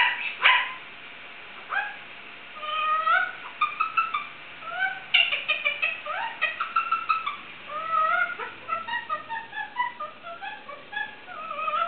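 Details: Indian ringneck parakeet, a pet that meows and mimics other sounds, gives a loud squawk, then a long medley of short meow-like slurs, whistles and clicky notes indoors.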